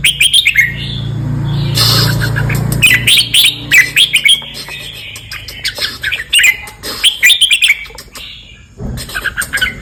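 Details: Red-whiskered bulbul singing 'boen'-style song, southern Thailand: repeated clusters of sweet whistled notes and quick chirps, with a steady low hum and a brief noisy stretch early on.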